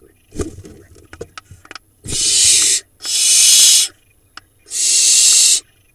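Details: Barn owl nestlings in a nest box in Israel's Hula Valley, four surviving chicks, near a pigeon; three long rasping hiss-screeches in quick succession after soft scuffling and knocks.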